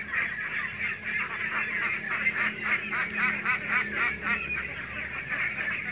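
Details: A flock of laying ducks and ducklings in a pen quacks continuously in harsh, nasal, overlapping calls, nearly four a second, with a steady background hiss.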